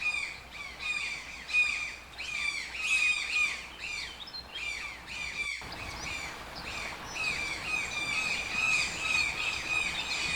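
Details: Rough, repeated toucan squawks in irregular bursts, followed by a denser stretch where the calls overlap into a continuous grating chorus over faint background hiss.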